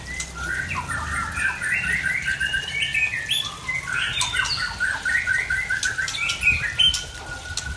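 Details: Oriental magpie-robin from Aceh with an unusual mixed song; busy stream of short whistles, trills and slurred notes, mostly mid-pitched, with a steady low hum beneath.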